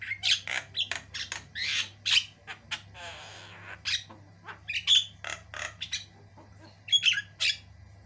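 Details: White-eyed Javan myna singing hard in a varied, long-running tutor recording: rapid harsh squawks and clicks in uneven bursts, a brief soft rasping pause, then more sharp chattering notes and whistled pips over a low hum.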